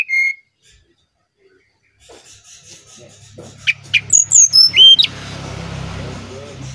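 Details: Brown-chested jungle flycatcher from Bali, song for luring other birds: a short whistle, quiet gap, then sharp chirps and high whistled notes dropping in pitch over a low rumbling background.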